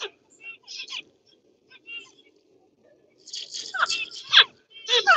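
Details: Zebra finch kept as a pet, giving short nasal harmonic call notes. A few soft notes come first, then a louder burst of several overlapping calls near the end.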